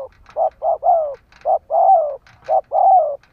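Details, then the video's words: Decoy spotted dove cooing to draw in wild doves, giving short-long coo pairs about once a second, the long note sliding gently downward, with faint clicks between phrases. "Tiếng chim cu mồi gù gáy/ chim cu gáy kích bổi nhanh nổi"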